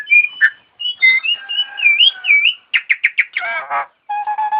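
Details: Starling song mimicking an ambulance siren, with wavering whistles rising and dipping, a quick series of five sharp chipped notes, a buzzy harsh burst, then low steady tones.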